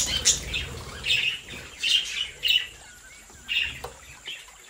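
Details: Budgerigars in a home breeding flock give a steady series of short high chirps, roughly one every half second, some warbled and some clipped, with a faint low hum underneath.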